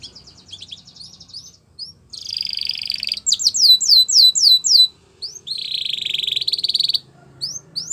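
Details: Belgian canary singing a training song for canaries: high, rapid trilled phrases, sweeping rolled notes repeated several times a second, sustained buzzy trills and short breaks between tours, loud and clear against a quiet background.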